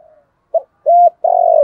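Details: Spotted dove calling to lure wild doves, thổ sấm voice: a brief clipped note, a level sustained coo, then a long rough drawn-out coo, all close and clear.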